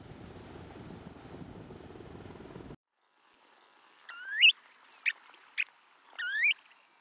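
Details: Snowy Plover giving soft rising 'tu-weet' whistles with two short clipped notes between, after a few seconds of steady surf or wind rush; recorded March 12, 2012 along the Salton Sea shore at Salton City, California.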